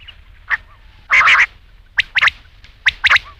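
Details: Rain quail call: one short note, then a longer hoarse burst, followed by quick doubled and tripled clipped notes, with faint background hiss.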